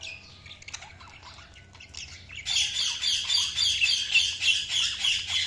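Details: Budgerigars: dense, scratchy chirping and chattering that becomes louder and more continuous halfway through, with pulsing squawky notes and a faint low hum beneath.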